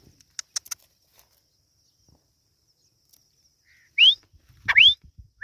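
A chukar partridge chick gives two high, sharply rising whistled peeps less than a second apart, after a few faint clicks and taps.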